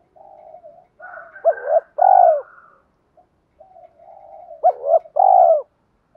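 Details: Spotted dove song played to provoke wild-caught doves and train decoys: soft low purring notes lead into a hooked double note and a loud drawn-out arched coo, the whole phrase repeated twice.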